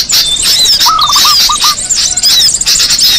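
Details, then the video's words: Small birds heard as a lure: loud, continuous high twittering with squeaky slurred notes, and a stuttering series of lower hooked notes, five then two, in the middle. "Suara pikat burung kecil paling ampuh"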